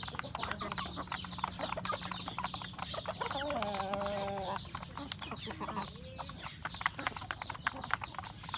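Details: Home-kept rural chickens, roosters and hen among them, eating breakfast; dense clucking and pecking taps, broken midway by a drawn-out, rich, tonal call lasting about a second, then a short rising note.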